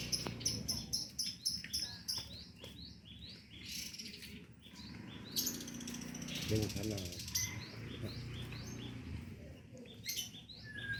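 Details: Wild cinereous tit singing persistently, a rapid run of short, sharp high chirps repeated several times a second, pausing and resuming, with low background rumble and some human voice.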